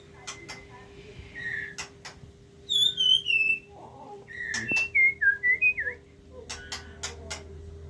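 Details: Captive-bred Aceh white-rumped shama, a parent feeding its chicks: clear high whistled notes, some sliding downward in a quick run, with short buzzy bursts and soft clicks between them.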